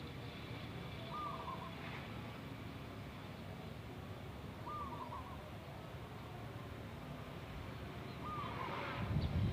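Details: Wild local zebra dove (perkutut) singing in the style called bedah karang: short soft cooing phrases, each a brief rolling burble, repeated about every three and a half seconds over a steady broad background hiss and low rumble.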